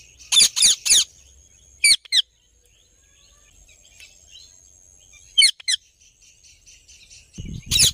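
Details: Indian ringneck parakeet giving happy sounds: short bursts of harsh, high screechy notes in quick doubled and tripled groups, separated by quiet gaps, with a faint steady high tone in the background.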